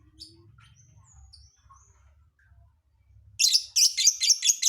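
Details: Faint thin whistles and a low hum give way to rapid, loud, shrill chattering chirps from a lovebird singing an odd song filling.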